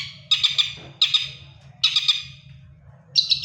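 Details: Moulting long-tailed shrike still singing: four short bursts of buzzy, stuttering notes, each lasting about half a second, spaced roughly a second apart, with a soft low hum.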